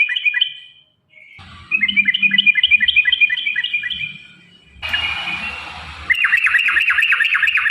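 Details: Sooty-headed bulbul, lure song for caged birds: brief bright notes, then a fast run of repeated chips, a noisy hiss, and finally lively wavering whistled notes rising and falling.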